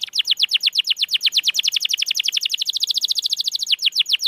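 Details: Canary song used to coax reluctant canaries into singing: a long rapid trill of sharp downslurred chirps, close and even, running without break before a brief change in pace near the end, with faint background noise.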